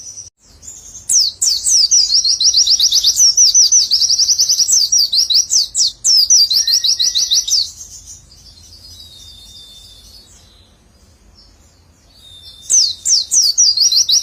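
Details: Pleci in a long nembak bout of rapid witwitwit notes. A dense, high, buzzy chatter runs for about seven seconds, pauses to a faint twitter, then bursts back into quick chirps near the end.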